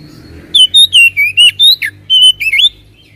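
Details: Whistled song of an oriental magpie-robin, played as a lure for lazy singers: about ten clear notes in quick succession, level and wavering whistles mixed with abrupt downward slurs, faint hum beneath.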